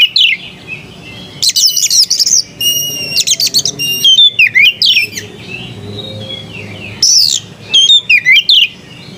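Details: Melodious white-rumped shama song made of varied phrases: rapid chattering trills, piercing sustained whistles and swooping slurred notes delivered in bursts with brief gaps, over a faint low background hum.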